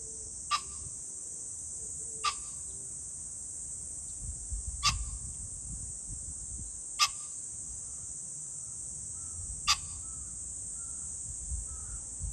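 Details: Pheasant on 21 July 2024, uttering five sharp, harsh bursts at uneven intervals across twelve seconds. Other birds give soft whistles in between, over a continuous high-pitched insect chorus and some low rumble.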